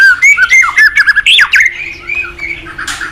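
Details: Energetic white-rumped shama song, used as master song to stimulate untrained shamas: quick run of clear whistled notes, some sliding sharply up and down, then a softer trailing warble.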